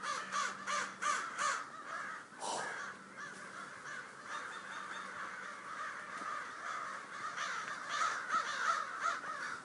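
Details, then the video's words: Many crows cawing together in a dense, overlapping chorus: harsh, rasping caws repeated rapidly with no pause across the whole stretch, with a steady background hiss. "Bosque Crows Sound Effect"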